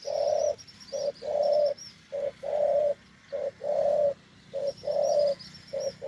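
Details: Deep-voiced wild spotted dove giving off-cue coos: short and long hollow notes alternate steadily, about fifty a minute, with a thin high insect buzz in the background.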